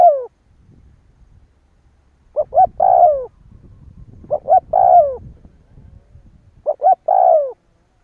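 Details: Spotted dove calling to lure other doves into answering: three cooing phrases about two seconds apart, each quick double coos and a long falling croo, with a faint low rustling rumble underneath.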